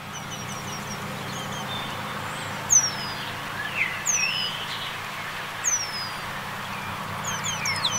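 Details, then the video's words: On a small pond in central France on 21 March 2020, during an early spring passage, a Eurasian penduline tit sings thin, high, drawn-out descending whistles every one to two seconds, with softer chips between, over a low rumble. "RÉMIZ Penduline/Chant/Remiz pendulinus"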